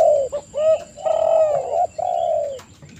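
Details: Spotted dove song from a lure recording: a few soft, low coos, then two long, smooth, level notes, throaty and mellow, with a faint constant high whine behind.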